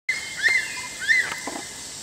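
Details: Crested serpent eagle calling: two loud, clear whistled notes about half a second apart. Each slurs up and then falls briefly, over a steady background hiss.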